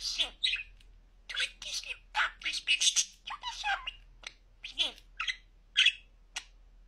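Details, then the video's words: Clear-speaking pet budgerigar rattling off a rapid string of raspy, word-like syllables, then slower separate bursts of mimicked speech. "En net konuşan muhabbet kuşu"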